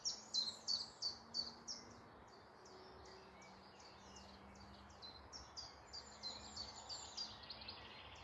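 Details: Woodland birds singing in the morning near Malton, North Yorkshire: a fast series of high, sharp, repeated notes, then a second run of quicker, softer notes after a pause, with a faint low hum underneath.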